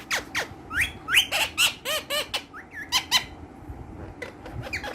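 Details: Green ringneck parrots, kept as playful talking pets, give a rapid series of sharp squawks and chattering notes, some with arched, bouncing harmonics, in a small indoor room.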